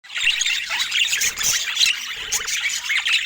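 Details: Several rare budgerigars filmed indoors in natural Scandinavian light give dense, overlapping chirping and warbling, with quick rising and falling squeaks and harsher squawks packed together without pause. No speech or music is heard.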